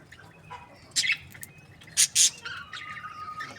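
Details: Budgerigars from breeding pairs, described as happy, give a few sharp high chirps near the one- and two-second marks, then a softer warbling chatter with a thin steady whistle toward the end, over a faint background hiss.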